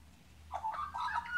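An Australian magpie gives a brief mellow warble of rich, slurred notes rising and falling around a middle pitch, over a faint low hum.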